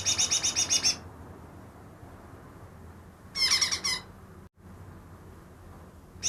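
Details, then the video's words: Greater green leafbird, wild-caught two days earlier and said to mimic ten other bird species, gives a one-second burst of rapid harsh high chatter notes. A second similar burst follows after a pause, and a third starts at the end. "burung cucak ijo yang bisa meniru 10 suara burung lain"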